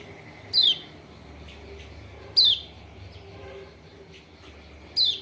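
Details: Lombok white-eye lure call for a reluctant singer: three clear, descending whistled notes, the gaps about two seconds and more, with faint low murmur in the background.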